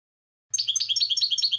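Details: Short passage of goldfinch song: a quick, evenly repeated series of bright, two-toned chirping notes starting after half a second of silence.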